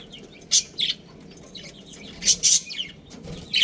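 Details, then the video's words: Captive budgerigars from a colony with a breeding pair: a few short, bright chirps in scattered pairs, separated by quiet gaps with soft background chatter. "Adorable Budgies Chirping Sounds"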